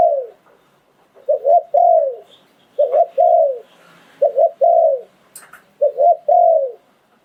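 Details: Decoy spotted dove from Thailand in the 'sai phon liw tan' style, delivering four regular phrases about every one and a half seconds. Each has two clipped coos then a long, falling croo. A faint high tick sounds midway.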